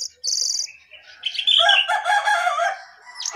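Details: A caged jongkangan sits on top of its cage and sings: a sharp high chirp opens, followed by a loud, rich warbling phrase of tumbling notes.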